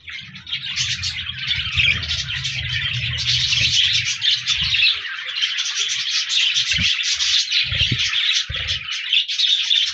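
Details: Budgerigars, several parakeets, recorded 14 January 2024, chirping and warbling in a dense continuous chatter of overlapping high buzzy notes, with low thumps and rustles from the birds moving about.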